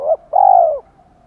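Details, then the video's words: Female decoy spotted dove calling to stimulate males: a brief low note, a short gap, then one long, steady, slightly falling coo ending abruptly, in a quiet setting. "Tiếng cu mồi gáy gọi kích bổi chuẩn, Cu gáy mồi gáy gọi 2 hậu / Chim cu gáy mồi kích trống"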